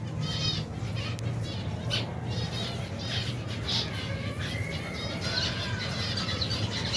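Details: More than 120 pairs of finches and their young at feeding time make a continuous chatter of short high tweets, with a few longer rising notes later on, all over a low steady hum.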